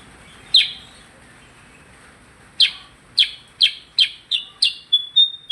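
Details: Percang in lively song: a sharp high chirp, a pause, then six quick chirps repeated about every half second, ending in thin short whistled notes over quiet background hiss.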